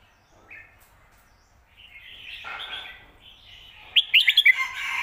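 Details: Red-whiskered bulbul singing the phat kuai tiao / khayao khuat style used to train birds at home; soft warbling builds to a loud burst of about five rapid, sharp, chirpy notes near the end.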